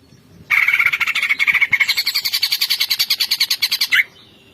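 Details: Greater green leafbird delivering a loud, rapid, rattling song of evenly repeated harsh notes lasting about three and a half seconds, shifting higher partway through and ending with an abrupt upward note.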